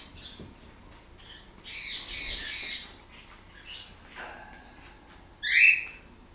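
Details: A pet blue-crowned parakeet getting scratches from its owner on 15 August 2014 gives a long grating squawk, quieter rasps, then one sharp loud shriek at the end.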